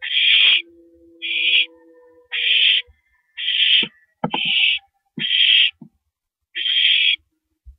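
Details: Barn owl at a nest at 2:42 AM on April 7, 2012, as a rabbit is delivered to the nest. Harsh, noisy hissing screeches about half a second long repeat seven times in eight seconds, with faint knocks and scuffles between them.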